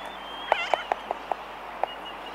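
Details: Laysan albatross close up in a colony gives six sharp, hollow clicks in an uneven run over about a second and a half. Sooty terns call thinly in the distance, and a faint high aircraft whine runs behind.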